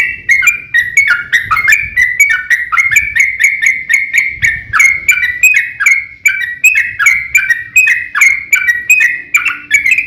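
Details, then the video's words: Long 'ropel' fighting song of a yellow-vented bulbul, meant to provoke other bulbuls into singing: a ten-second stream of rapid, even, liquid chatter notes, each bending down and up, delivered with almost no gaps. "KICAU SUARA trucukan gacor TARUNG ROPEL PANJANG"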